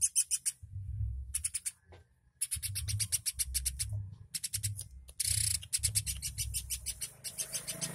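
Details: Highly vocal woodpecker used to tutor songbirds: fast runs of dry, high-pitched ticking notes broken by short pauses, one burst of hissy rasp near the end, with steady low pulsing thumps underneath.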